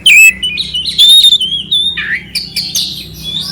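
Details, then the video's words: Oriental magpie-robin, locally kacer, singing clearly with rough fill-ins to provoke a quiet bird; a long pure high whistle slides down, followed by lower slurred notes and a few scratchy bursts. "Suara Kacer Jernih isian kasar Cocok untuk masteran untuk menaikkan emosi kacer dingin"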